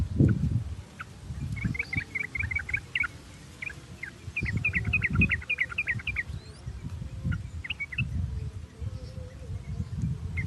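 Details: Sooty-headed bulbul lure for stimulating singing: quick trains of short chirping notes in two bursts, fainter scattered notes between, with noticeable low rumbling noise throughout.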